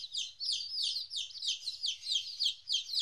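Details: Young chicks, 14 days old, apart from their mother for the first time, giving loud descending peeps about three per second, overlapping, with a faint low hum beneath.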